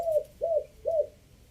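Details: Spotted dove from Chiang Mai, decoy coo in three-note style: three evenly spaced, soft falling hoots about half a second apart.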